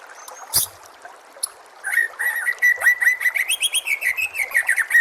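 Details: White-rumped shama song, tutoring material for caged contest birds: after a few scattered chips, a fast run of rich repeated whistled notes, steady and insistent, carrying on to the end.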